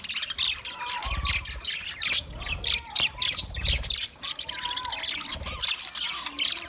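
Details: Twenty pairs of budgies keep up a busy flock chatter: harsh squawks mixed with quick high chirps and short warbled phrases, a few dull low bumps at intervals.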